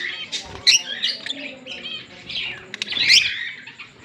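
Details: Green Fischer's lovebird pair kept as pets chirping continuously: shrill, scratchy twitters and squeaks, with a sharp loud burst near the start and another rising outburst toward the end.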